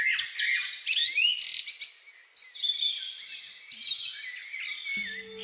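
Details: Common linnet (Linaria cannabina) singing in a garden in spring and summer 2021, a male and female tending young. Fast jumbled twittering with whistled slurs and a brief pause midway, then a low hum joins at the end.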